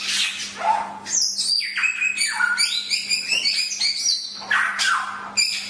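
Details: Chinese hwamei in a bird-training recording, singing a lively sequence of bright whistled notes, quick descending slurs and trills between scratchy bursts, with a low constant hum audible.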